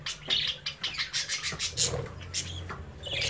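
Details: Young budgerigars playing in a cage under their parents' watch; quick, bright chirps and short squawks follow one another in uneven succession, with a faint low hum behind.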